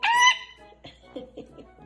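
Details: A pet parrot, indoors in Canada during the first snowfall, is asked to say bye. It gives one short, bright, steady-pitched squawk like "bye", followed by soft clicks and a faint household murmur.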